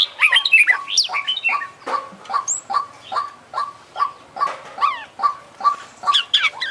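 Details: Vigorously singing international champion Oriental magpie-robin (kacer) with full isian fills: opens with a fast jumble of rising and falling whistles, then repeats clipped, down-slurred notes at a quick, uneven beat, with scattered high chirps between them.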